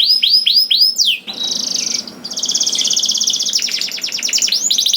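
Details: Canary singing to encourage other canaries to sing: a few looping whistled notes, then long rapid buzzing trills held at a steady pitch, closing with fast repeated chirps.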